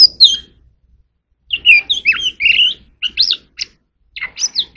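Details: Oriental magpie-robin rehearsing its song, a downslurred whistle, a pause of a second, then tumbling twisting whistles and sharp rising chips in rapid bursts.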